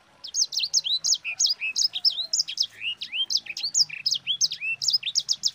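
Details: Rolling sanger song meant as master material for teaching other songbirds: a continuous stream of quick high chirps, swoops and downward slurs, delivered at a rapid even tempo without pause.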